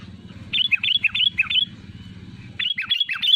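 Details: Sooty-headed bulbul giving rapid runs of bubbly, slurred whistled notes, a brief pause, then another quick series, with a steady low hum underneath.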